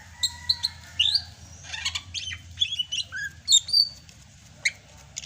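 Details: Greater green leafbird from Sumatra singing vigorously (gacor) in the rainy season: quick sharp whistled notes and rising and falling slurs, with a thin sustained whistle at the start and short pauses between bursts.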